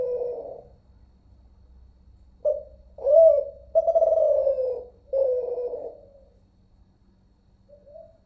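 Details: Zebra dove from Malaysia, a Kelantan-type voice, in an unedited recording, giving a run of low, mellow cooing notes. A short opening coo is followed by a pause, then a rolling, slightly trilled sequence of coos, fading to a soft final note.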